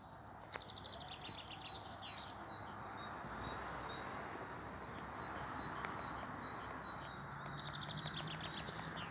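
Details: A European robin sings on 13 April 2020 around sunset, thin, high, tinkling phrases of quick trills and pure notes separated by pauses, over a steady rush of wind or distant traffic.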